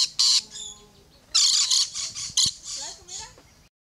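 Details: Harsh screeching squawks of rainbow lorikeets climbing a fence, a burst at the start, then a longer run of grating notes followed by softer twittering.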